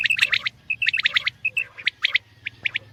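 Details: Common quail (batair) calling in rapid grouped bursts of sharp buzzy pulses, the groups about half a second apart, with single clipped notes between them and a low hum underneath.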